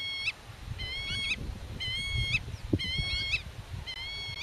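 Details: Territorial black-tailed godwit protecting its nest, repeating level nasal calls about once a second, each ending in an upward flick, against steady wind.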